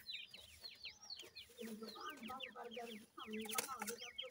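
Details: Young dakhni teetar francolins cheeping in rapid high descending notes, densely overlapping, while a steady low hum runs underneath.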